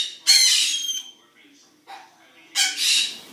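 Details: Noisy birds at a zoo during a morning: a long harsh squawk, a faint short call, then another loud grating screech.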